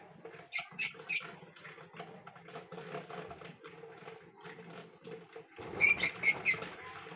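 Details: Lovebird giving two bursts of shrill, harsh chirps, three quick notes, then four more a few seconds later, over a low indoor hum and faint voices.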